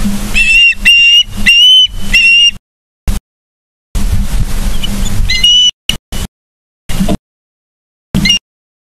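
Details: Osprey in Charlo, Montana, filmed on 31 August 2023 at 09:36 by a live nature cam. Bursts of shrill, whistled chirps with bright overtones repeat rapidly, broken by silent gaps and a steady low hum.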